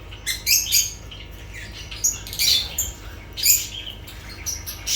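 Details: Lovebirds producing scratchy, shrill squawks in several brief clusters, each a rapid series of grating notes separated by short quiet spells.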